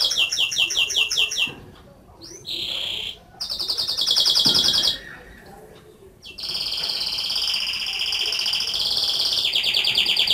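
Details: Canary singing a loud, high whistled song: rapid repeated trilled notes, then sustained buzzy rolling tones around a steady pitch, a brief pause, and a long continuous rolling trill to the end.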